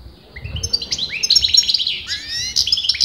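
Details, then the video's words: Steady singing by a goldfinch whose sex breeders debated: bright, ringing twitters and upward-sweeping notes strung together quickly, above faint low rumbling background noise. "غناء متواصل لمقنين"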